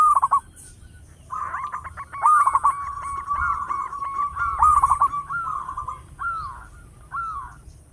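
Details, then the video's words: Loud local zebra dove song for luring wild doves: a long run of rapid, evenly spaced clipped coo notes, then short rising-falling trilled phrases, with faint high ticking above. "Perkutut lokal gacor suara besar bikin gempar bunyi seteras cocok buat pancingan"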